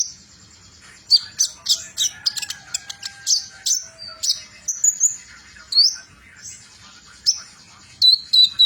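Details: Van Hasselt's sunbird with metallic mutation singing trotol: a quick sequence of high, clipped chirps followed by spaced, rising thin whistles and sharp squeaks toward the end.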